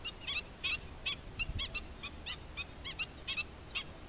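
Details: Adult black-winged stilt with its chicks, calling insistently with brisk, harsh, yapping notes, roughly eleven in four seconds at an irregular rhythm, over quiet background noise.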